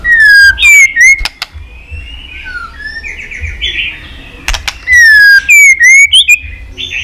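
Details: Stimulating white-rumped shama song: two loud bouts of descending then rising whistles with sharp clicks, separated by soft warbled and buzzy notes.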